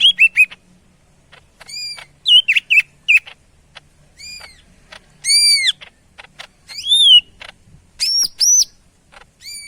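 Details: Medan greater green leafbird singing vigorously: a steady run of ringing arched whistles, some rising, some falling, some in quick triplets, mixed with soft ticking notes and a faint low hum.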